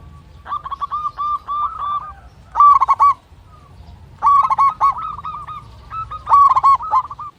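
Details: Local zebra dove in full song with a big voice and long breath, calling a rival; a lure to make silent birds sing. Bursts of rapid, stuttering, hollow cooing notes in four phrases, with short pauses between; low background hum.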